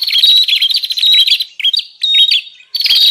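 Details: Bar-winged prinia lure recording for attracting wild prinias: fast buzzy trills of rattling notes with sharp downward flicks, broken into bursts by short pauses, sounding busy and noisy, with no other sounds.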